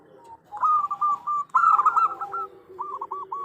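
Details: Female zebra dove calling the male, used as a lure bird; a soft note, then two loud rippling runs of quick coos, followed by a quieter, steady churring run.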